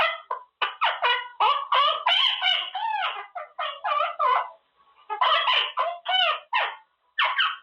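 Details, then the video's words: Quaker parrot, a caged male, chattering away while practising words: a long, fast stream of harmonic syllables with rising and falling pitch, broken by brief pauses. "Talking parrot"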